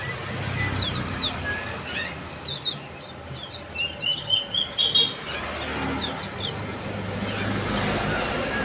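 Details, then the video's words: Bar-winged prinia with bright, sharp chirps tumbling in rapid groups, a louder cluster of buzzy notes midway, then sparser single chirps, over light background noise. "bar-winged Prinia call"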